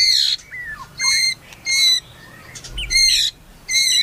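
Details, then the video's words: White-rumped shama, described as melodious, giving short harsh buzzy bursts rich in overtones, about five phrases spaced under a second apart, with soft whistled slurs between them. "MURAI MERDU"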